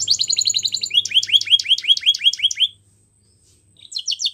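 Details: Canary singing for training young birds: a fast trilled phrase, then a run of about ten repeated downward-slurred notes, a brief pause, and a quick buzzy trill resuming at the end.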